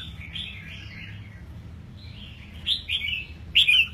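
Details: Caged red-whiskered bulbul aged eight months, with fresh plumage after moulting, delivers soft warbled whistles that build into two louder, sharp slurred notes at the end.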